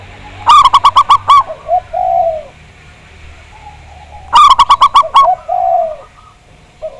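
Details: Big-voiced local zebra dove singing in a lure recording. Two bursts of quick, bright, stacked notes about four seconds apart, each followed by short soft coos and a longer falling coo.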